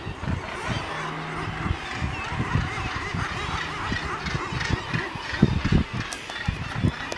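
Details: Northern Gannets on the cliffs of Helgoland fill a busy colony with harsh, grating, overlapping calls, rough and low, in a steady unbroken clamour with a constant background rush.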